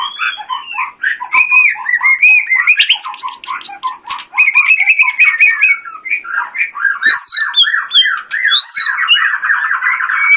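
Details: White-rumped shama singing in energetic 'tembakan' contest style: dense, fast trilled rattles and slurred whistles, with high thin notes layered above and almost no pause.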